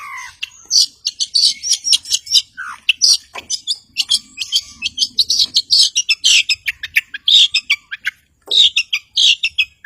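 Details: Long-tailed shrike singing energetically as a rival-provoker meant to stir silent birds into song: varied high chirps, squeaky twitters and rasping bursts in quick irregular phrases, with brief pauses and a few lower slurred notes.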